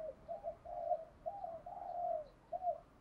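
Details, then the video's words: Spotted dove cooing outdoors against steady background hiss: a run of soft, hollow, rounded coos at an even low pitch, with short gaps between notes. "Tiếng Cu Gáy Giọng Hạp BổI ĐỦ BÀI(GÁY GỌI,THÚC,GÙ)Kích Bổi Nhanh Nổi. Cu Gáy. Cu Đất,cu cườm gáy gọi"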